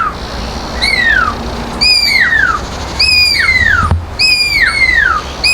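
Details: Pearl-spotted owlet calling in an enclosure at Montecasino Bird Gardens, Fourways, Johannesburg, on a hot day: loud, clear whistles sliding steeply downward, about once a second, over a faint low background rumble.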